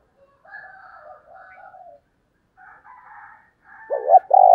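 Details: Female spotted dove call in the 'thổ đồng' voice style, played to lure wild males: soft wavering mid-pitched phrases, a pause, then loud low throaty coos at the end.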